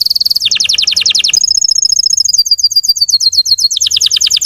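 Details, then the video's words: Russian canary singing to rouse untrained birds: quick high trill, a run of downward-slurred notes, a steady bright rattling tour, then more falling slurred notes repeated rapidly. "PANCINGAN SUARA BURUNG KENARI RUSIA UNTUK MANCING EMOSI BURUNG BAHAN"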